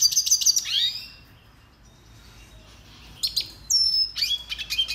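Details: Red siskin song used for song training: fast high twittering trills around the upper register, a descending slurred note, a quiet pause, then renewed bright chirps and a clear whistled tone.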